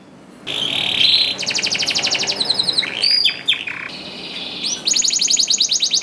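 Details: Canary singing to encourage other canaries: a flat rolling trill, quick bursts of high buzzy notes, a cluster of twisting chirps, then another level trill and a fast high rattling phrase.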